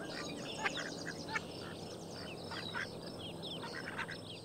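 Ducks give short harsh quacks in loose bursts, several birds calling over one another against a steady background hiss.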